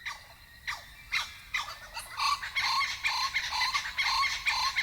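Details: A nesting pair of blue-winged kookaburras in an old gum tree in Kakadu, northern Australia, gives a dawn territorial chorus: harsh separate squawks quickly building into loud, raucous cackling of rapid rising and falling notes.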